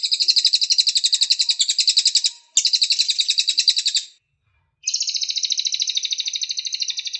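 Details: Cililin master song for training birds, best played in morning or afternoon; long high trills of rapidly repeated buzzy notes, two phrases back to back, a short silence, then a slightly lower, steadier trill.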